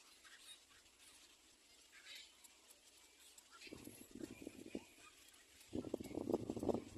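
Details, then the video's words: Little black cormorant standing still and calling: a quiet stretch with faint high chirps in the background, then two bursts of low, rapid, guttural clicking croaks. "Little black cormorant bird still standing talking"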